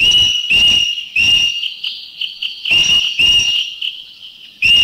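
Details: Green Magpie in Thailand giving loud strident calls, harsh broadband bursts in quick pairs and triplets. A steady high whistled tone from a Greater Necklaced Laughingthrush runs underneath in the background.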